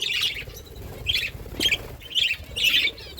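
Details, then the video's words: Budgerigars chirping while eating, giving short bursts of bright, scratchy chirps in quick groups about every half second, with a faint low rumble beneath. "Budgies eating food birds chirping sounds"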